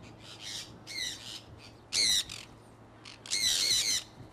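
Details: Conures flying out from a kept flock in Iowa, early spring 2003, give rough, buzzy squawks. Quieter calls alternate with two very loud, drawn-out screeches, one near the middle and one toward the end.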